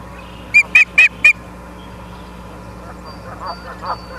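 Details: Ospreys on a nest camera at Charlo, Montana, 30 August 2023 at 23:23: a quick burst of four high, clear whistled chirps in about a second, then fainter, lower chatter and a steady background hum.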